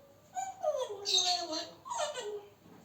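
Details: Pet male African grey parrot chatting to himself: two gliding, harmonic, voice-like notes, each falling in pitch and lasting under a second, with a short pause between them, indoors.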